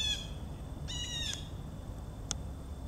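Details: Blue jays calling in the background near Joe Pye weed, 4 September 2014: a clipped note, then one rasping harmonic jay call, followed by a brief sharp click against low background rumble.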